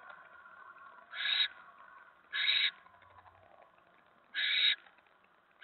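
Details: Barn owl at a nest on the evening of 10 November 2017 at 7:50 PM, when a mouse is delivered: harsh, broadband hissing screeches about a third of a second long, three well spaced bursts plus one more starting at the end, over a faint steady background hum.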